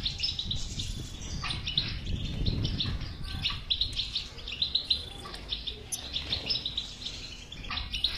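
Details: Caged European goldfinch song meant to stimulate a silent goldfinch to sing: bright, tinkling twittering phrases with quick liquid trills and buzzy notes, delivered in bursts, over a low rumbling background.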